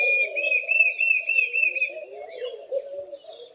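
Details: Loud whistle-like call of a Diederik cuckoo, about seven quick, even, piping notes over two seconds, then fading. Soft, continuous cooing of Laughing Doves fills the background.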